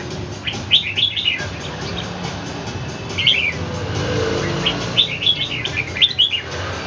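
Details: Pet red-whiskered bulbul sparring with a wild bird in Ho Chi Minh City; clusters of lively chirped phrases at the start, middle and end, separated by short pauses, steady background hum.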